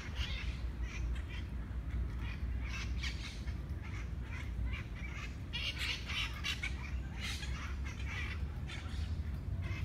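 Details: Monk parakeets fighting over food in Parc de la Ciutadella, Barcelona, Spain, give harsh, grating squawks in thick, overlapping bursts, with mitred parakeets squawking from trees above, over a steady low rumble of city or wind noise.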